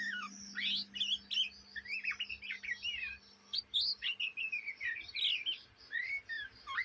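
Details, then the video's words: Juvenile Oriental magpie-robin (kacer trotolan) in Indonesia giving ngriwik chatter day and night: a busy stream of twisting, slurred whistles and sharp chips with brief pauses, over a constant faint low hum. "kacer bahan ngriwik siang malam"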